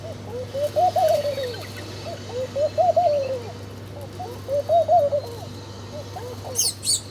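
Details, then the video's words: Birds at breakfast while eating food: low arched hooting notes in short phrases repeat about every two seconds over a steady low hum, with a brief high chirp near the end. "Different Birds Chirping Sound"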